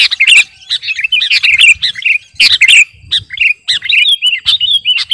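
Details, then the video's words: A 'garuda' sooty-headed bulbul sings busily, used for training or luring birds: bubbly, warbled phrases of quick chirps and slurred whistles, several louder bursts, with short pauses between. "Burung KUTILANG GARUDA Gacor..!! cocok buat pikat masteran"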